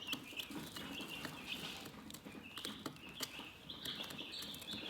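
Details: Chickens chirping calmly: soft, high, rising peeps overlapping continuously from several birds, with scattered sharp clicks and light tapping throughout.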